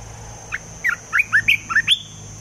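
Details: Caged decoy olive-winged bulbul, kept for trapping, delivers a brisk run of about eight chirpy, warbling whistles ending on a higher note, over a faint low hum.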